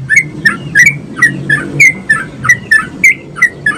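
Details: A sooty-headed bulbul gives lively song used as a prompt for other bulbuls to sing, a steady string of short bubbly whistles about every third of a second, against a low continuous hum.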